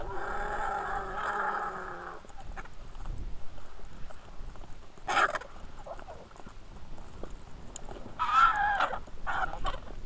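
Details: At the Hai Bar feeding station in Israel, 2 August 2021, Griffon vultures in a feeding frenzy give a drawn-out grating, droning squeal for two seconds, then quieter raspy hisses and scuffles.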